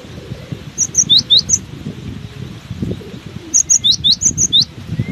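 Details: Cinereous tit singing steadily through strong wind: two bursts of about six high, thin, sweeping whistled notes, each burst under a second, over a constant low roaring wind rumble.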